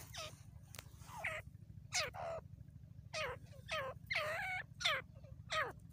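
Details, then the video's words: Grey francolin, called tateer or teetar, in jungle, giving loud harsh descending notes in short bursts, several calls overlapping, with a steady low hum underneath throughout. "Jangle ka tateer beautiful voice dakhni Tateer"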